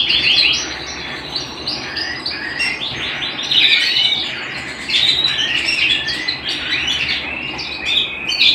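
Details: Singing canary kept at home, delivering rapid rolling trills mixed with sharp slurred whistles and brief high squeaky notes in a continuous stream.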